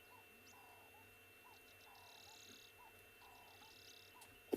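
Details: Doves calling in the background at sunrise on 18 September 2020 on safari near a lion pride with young cubs: soft, short, low repeated coos about every second, behind a higher buzzing trill and faint outdoor hum.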